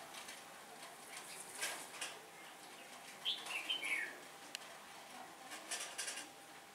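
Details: Red-whiskered bulbul decoy on a bird trap, windy day on 15 October 2017, singing to draw in wild bulbuls: one bright whistled phrase slurring downward mid-clip, amid steady hiss and scattered clicks.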